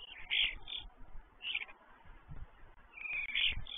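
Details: Five common starlings visiting an empty stork nest give harsh, scratchy chattering calls in three short bursts over about four seconds, with a low rumbling noise underneath.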